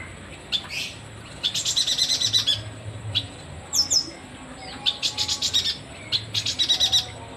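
A yuhina gives quick runs of high, bright chattering notes in bursts every second or two, with sharp squeaky chips between phrases.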